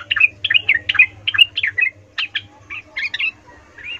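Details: Sooty-headed bulbul in excited song meant to provoke rival bulbuls, uttering a steady series of short, slurred, swooping whistles about twice per second over a faint low hum.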